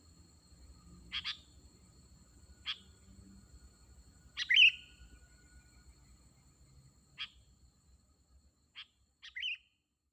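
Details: Sooty-headed bulbul calling to lure wild birds: scattered sharp chirps spaced a second or more apart, one louder rolling trilled note midway, and a final close pair of notes.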